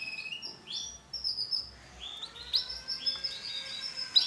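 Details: Male canary, yellow bon colour, singing quietly: a series of sustained high whistled notes and soft rolling phrases at varying pitches, with faint background noise.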